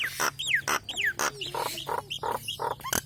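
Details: Training song of a Nias hill myna: swooping whistled slurs alternate with loud clicks and short nasal, harmonic notes at roughly half-second intervals.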